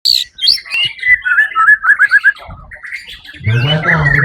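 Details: White-rumped shama, a competition bird that won first place at the Suara Agung event on 1 October 2023, pours out varied whistles and a run of rapid repeated notes, followed by a low hum and crowd noise.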